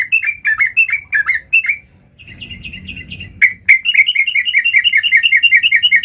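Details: Varied song of a sooty-headed bulbul: fast, sharp chirps, then a short pause with a soft rumble, then a rapid, even run of clipped high notes.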